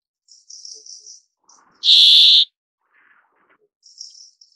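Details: Brambling (Fringilla montifringilla), a single loud, harsh, buzzy wheeze lasting about half a second, with soft high twittering notes before and after it.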